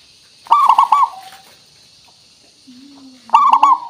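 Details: Local zebra dove with a clear crystal-toned voice, used to draw replies: two loud, bubbling coo bursts separated by a quiet stretch with a low, steady droning tone.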